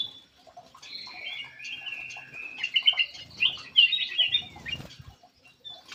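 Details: Black-crested bulbul lure call, jumbled whistles and chirps swelling into a busier, louder middle section of sharp notes before fading, with faint low rustling beneath.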